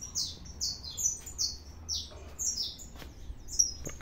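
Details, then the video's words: Saffron finch singing a lot: a series of short, high, slurred chirps, each dropping slightly in pitch, given in quick irregular succession with brief gaps, over a faint low hum. "canário da terra 315 cantando muito"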